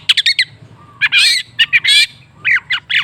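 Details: Long-tailed shrike sounds, meant as a lure to make a stalled shrike sing. Harsh, buzzy squawks of about a third of a second alternate with quick clusters of sharp chips, over a faint low hum.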